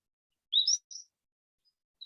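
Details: Cordilleran Flycatcher, which breeds in the Spring Mountains of southern Nevada, giving its high, thin two-part call: a sharp rising slur, then a higher clipped note, unlike the single-syllable Pacific-slope call. A faint extra note follows.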